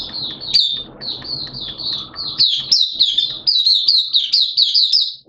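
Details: Oriental white-eye, a kept hobby bird in open song during wet, erratic weather: a long run of high, sweet chirped notes with quick up-and-down slurs, packed tightly together and barely pausing, with faint background hum.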